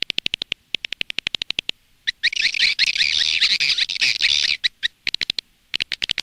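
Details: Edible-nest swiftlet lure recording from Indonesia, played outside a nest house to attract swiftlets: rapid series of sharp high clicks, then a dense buzzy chattering burst, then more quick clicks.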